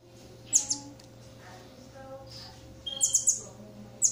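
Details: Campo troupial (Icterus jamacaii) chick being fed: thin, very high squeaky begging notes in short bursts, a quick cluster of three near the end, over a faint steady low hum.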